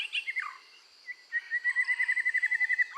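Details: Red-whiskered bulbul singing hard during voice training to rouse its fighting spirit: a few sweet slurred notes, a short pause, then a fast steady trill of repeated chirps held at one pitch for about one and a half seconds.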